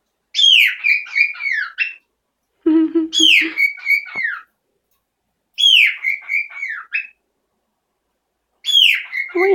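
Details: Loud territorial calls from a pet parrot that became noisy one morning: four repeated phrases, each opening with a bright falling whistle and ending in a warbled descending series, with brief pauses between.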